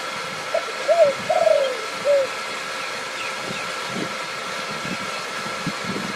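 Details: Spotted dove at a calling contest in Suphan Buri, Thailand, around 10 a.m. on an overcast day, giving four soft, mellow coos in about two seconds, the middle note longest; faint rural background hum follows.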